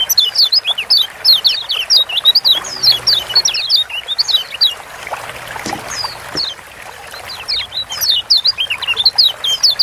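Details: Lombok yellow white-eyes, kecial kuning, in energetic gacor song used as a master and prompt to get lazy birds singing: many overlapping high, thin, sweeping chirps and twitters in dense bursts, with brief quieter gaps.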